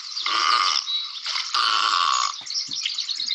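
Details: A pair of great egrets at a basin in Glenview, Chicago area, give two long, harsh, raspy croaks, each about half a second or more, with rougher fragments trailing after them.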